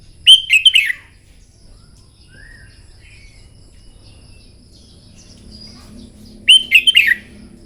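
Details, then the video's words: Red-whiskered bulbul in morning contest-song training, delivering two short rich warbled phrases about six seconds apart, each a rapid cluster of whistled, slurred notes; faint distant chirps and a soft low hum between them. "Chào mào hót kích lửa " luyện chào mào hót đấu buổi sáng" kích chim hót căng lửa"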